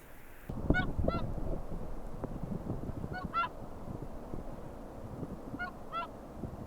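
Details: Whooper Swans calling at Akureyri, Iceland, on 5 April 2020; three pairs of short, bugling honks spread over several seconds, above a rough background rumble of wind or water.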